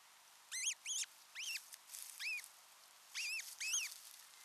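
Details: Wild osprey pair alone together at their nest for the first time, 6 June 2023, Satakunta, Finland; six sharp, arched whistled calls with harmonics, given in pairs and singly over a faint hiss.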